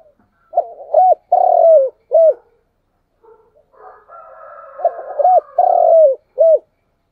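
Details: Spotted dove morning lure call, played to draw wild doves close to home: two phrases, each a stuttering short coo, then a long drawn-out falling croo and a brief final coo. A faint hum fills the gap between them.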